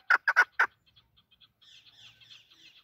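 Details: Four sharp clucks from a desi hunting chukar partridge in quick succession, then faint, higher twittering notes in the background.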